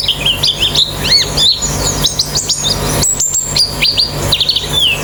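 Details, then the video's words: White-eye song used as training so a kept bird sings fast with an open beak: rapid high chirps and short rising and falling whistles, busy overlapping notes, a faint constant low hum beneath. "Terapi Pleci Cepat Ngalas Buka Paruh"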